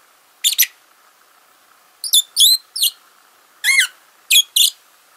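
A Fischer's lovebird gives soft sleep chatter: five scattered bursts of thin, high squeaky chirps, some twisting up and down, over a faint low hum.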